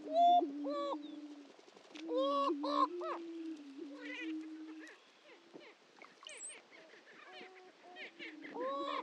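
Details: Low hollow booming from greater prairie-chickens at the Dunn Ranch Prairie lek, Hatfield, Missouri, steady under repeated loud whooping and chattering outbursts, quieter murmuring in the middle and a fresh burst at the close.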